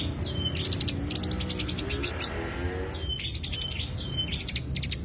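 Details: Greater green leafbird lure sound: bursts of rapid, bright high chirps and short trilled phrases come in three groups, with brief whistled notes between them over a steady low rumble.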